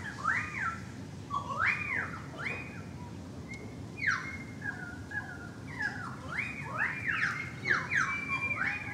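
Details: Currawong singing from near a balcony: rising and falling whistled phrases with arched, slurred notes repeated over several seconds, several overlapping voices, steady low rumble beneath.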